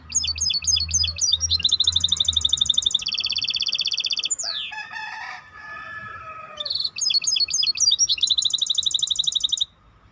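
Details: Maestro bird pouring out fast high trills and steady rolling metallic notes, with a long descending slurred phrase in the middle before the rapid trilling resumes.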